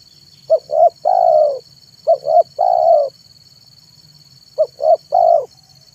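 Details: Spotted dove singing from a perch in the afternoon, used as a lure for wild doves: three phrases of two short clipped notes and a long, deep, mellow coo, about two seconds apart, over a steady high electronic whine.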